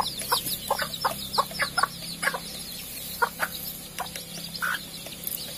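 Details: Captive Sumatran junglefowl cluck in quick, uneven bursts while their feeding and drinking places are scrubbed with disinfectant floor cleaner. Background chirps from small birds and a steady low hum are also heard.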